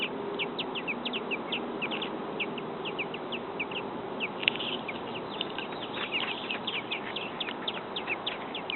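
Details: American robin babies a few days old beg for food in a nest in a backyard. Thin, high cheeps pour out steadily and grow denser and more overlapping in the second half.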